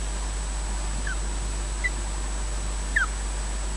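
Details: Nest-camera recording of an osprey at Loch Garten, Scotland, as one bird slowly takes over the nest from its mate: three thin falling chirps, the last loudest, against a constant background hiss.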